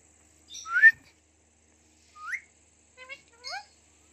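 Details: Talking Indian ringneck parakeet giving a few short vocalizations: a loud rising whistled note, then a lone upswept whistle, then a quick pair of harmonic, speech-like syllables, all against a quiet background.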